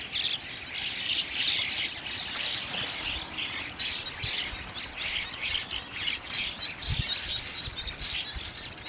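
A flock of bank mynas keeps up a continuous, overlapping chatter of harsh, squawky and chirping notes, with a few faint low thumps.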